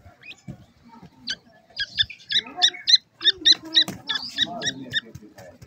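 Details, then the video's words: Young captive-raised grey francolin (dakhni teetar) chicks cheep in quick, high, thin peeps, several a second, with low human voices speaking alongside. "dakhni teter chicks"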